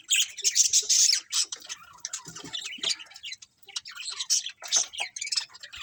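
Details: Budgies in a colony: loud, dense chattering and squawking opens, eases into scattered chirps with a short lull, then builds again into busy overlapping calls.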